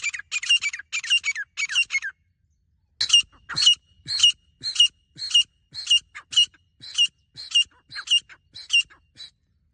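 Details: Grey francolin giving repeated harsh, piercing notes, first a quick cluster, then after a pause a long regular run at nearly two notes per second, the background otherwise silent.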